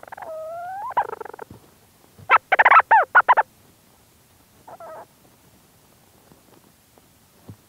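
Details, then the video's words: Leach's Storm Petrel calling close-up from inside its burrow: a rising nasal note, then a quick chattering burst of about six harmonic notes and one brief later note, with faint rustling movement sounds. "Leach's Storm Petrel. CU Calls From Bird In Burrow And Movement Sounds"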